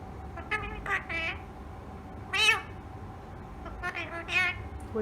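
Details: Tame rose-ringed parakeet talking: scattered nasal, word-like phrases in several short bursts, one louder drawn-out syllable in the middle, over a steady faint hum.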